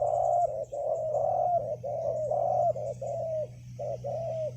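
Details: Loud, clear cooing of a wild spotted dove at a ground decoy site: run of mellow, drawn-out, slightly falling coos in quick succession over a steady low hum.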